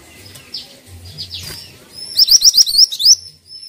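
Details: Pied triller in lively song, giving a quick string of seven or eight piercing rising notes over about a second, preceded by faint chirps and downslurred calls from surrounding birds.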